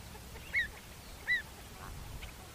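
Pied avocet giving two clear, fluty 'kluit' notes, each slightly arched in pitch, about three-quarters of a second apart, over a soft background rumble.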